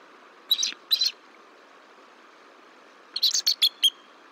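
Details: Nesting bald eagles at Decorah, incubating eggs on 17 March 2023 as the pair swap duty. Two shrill doubled chirps, a pause, then a fast run of high, squeaky chittering notes.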